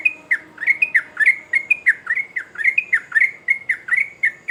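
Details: A sooty-headed bulbul sings vigorously: around sixteen crisp, whistled notes, each sliding down quickly, delivered in a steady chattering rhythm without pause.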